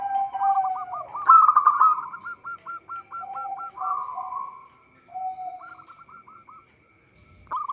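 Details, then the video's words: Local zebra dove in vigorous song, used for luring birds into traps: long runs of quick hooked coos, loud staccato bursts and soft lower coos, the phrases separated by short quiet gaps. "Perkutut lokal gacor suara cocok untuk pancingan"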